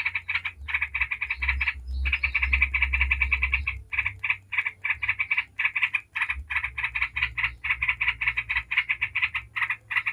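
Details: Yellow-vented bulbul in rapid 'ngebren' song, played to make other bulbuls sing: long rattling runs of quick buzzy notes with short gaps, over a low background rumble in the first half.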